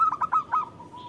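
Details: Local zebra dove singing actively, used as a lure to prompt other zebra doves to reply: four quick, punchy cooing notes followed by a softer, steady purring trill that fades out.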